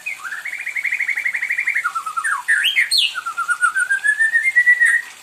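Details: A white-rumped shama kept as a pet, singing persistently and asking for company: a fast buzzy rattle of repeated notes, a few sharp upswept calls, then a long run of rapid notes rising to a clear whistle.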